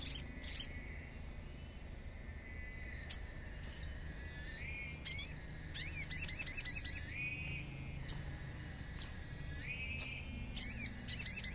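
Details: Common iora lure song set in nature sounds, to prompt ioras to reply: sharp high ticks and downslurred chirps, longer rising whistled notes, and two rapid rattling trills of repeated notes.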